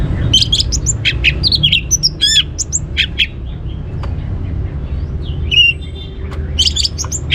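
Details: Orange-headed thrush song used as a teaser to stir other birds into singing: bursts of sharp, varied high chirps and slurred whistles, a quieter gap with faint notes, then a dense flurry of chirps again over low background hum.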